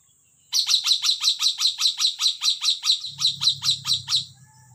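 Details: Sumatran hill myna giving a fast series of about fifteen bright, sharp, harmonic-rich notes, evenly repeated roughly every quarter second, with a faint low hum entering near the end.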